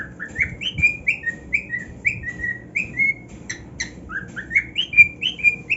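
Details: Cockatiel singing excitedly on a new nest: steady string of clear whistled slurs, some rising, some dropping, roughly two per second, broken by short chirps and a faint soft hum behind.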